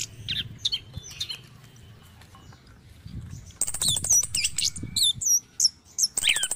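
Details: Morning Orange-headed thrush song meant to coax caged birds into singing. Sparse, faint notes at first, then loud rapid sequences of sharp high chirps and whistled slurs delivered in quick succession.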